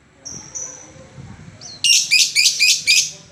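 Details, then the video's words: Lovebird in long 'ngetik' (typing) chatter: faint thin notes, then a burst of five loud, harsh, high ticking chirps in quick succession near the end. "Love bird ngetik ngetik panjang"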